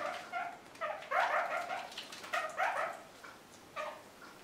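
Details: Aviary kakariki in spring, busy with freshly pruned currant and blackberry branches, give short, nasal chattering calls in uneven bursts, several within a few seconds, mid-pitched with a slightly hoarse edge, otherwise quiet.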